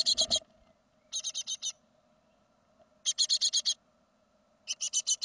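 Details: Great tit of a second brood leaving the nest in 2016, giving loud raspy hissing bursts of five or six fast pulses, repeated roughly every one and a half seconds over a quiet hum.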